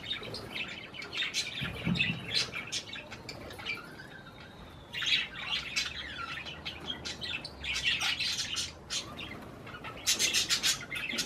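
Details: Parakeets, that is budgerigars, eating cherry tomatoes, chattering in scattered scratchy chirps with a few drawn-out warbled notes and louder clicking bursts toward the end.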